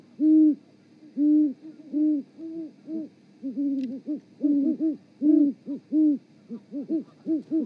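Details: Great horned owls duetting during mating at an osprey nest in Charlo, Montana, on a live nest cam at 18.12 on 7 February 2018; deep hoots at two pitches overlap in a steady, bouncing series, about one hoot per second.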